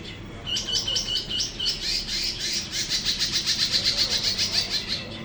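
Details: Captive greater green leafbird, a promising bird ready to serve as a vocal tutor, delivering a fast run of high chattering notes repeated several times a second over steady heavy background hiss.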